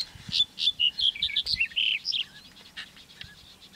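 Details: A Black-headed Bunting at Eastriver, Skala Kalloni, Lesbos, Greece, in May 2010, sings a brisk two-second phrase: a few spaced, bright notes speeding into a jangling jumble, then quiet with faint background chirps.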